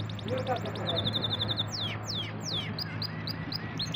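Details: Singing canary, called a champion bird: fast rattling trill of short notes, then loud downslurred whistles in a series, ending with quick clipped chips, over a steady low hum.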